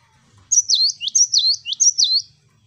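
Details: Vigorous "wucit wucit" song of a gelatik batu, the cinereous tit: a run of five sharp two-note whistles, each dipping and swinging back up, given in steady succession against a faint low background hum.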